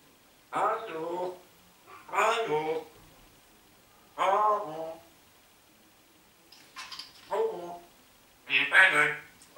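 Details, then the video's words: Talking parrot Rudi in Hammelburg, Germany, speaking German phrases such as "hallo" and "mein Name ist", gives five hoarse, speech-like bursts about a second long, spaced irregularly over nine seconds, in a quiet indoor room. "sprechender Papagei"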